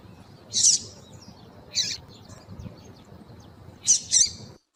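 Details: Female double-collared seedeater call, played to warm up and excite males into singing: short high, harsh chips, one single, one softer, then a quick double note at the end.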